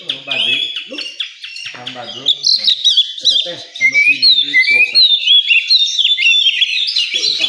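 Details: Oriental magpie-robin singing at a songbird contest area: a rich run of whistled, warbling phrases with rising and falling notes, growing louder and denser after the first seconds; other birds and faint voices sit beneath.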